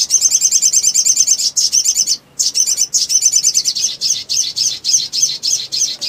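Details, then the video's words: Lure recording of a Black sunbird (sogon) in emotional ngleper song: a dense, nearly unbroken high trill of rapid buzzy pulses, briefly pausing once, then continuing as quick rhythmic bursts. "SOGON GACOR FULL EMOSI NGLEPER ! PANCINGAN MACET BUNYI"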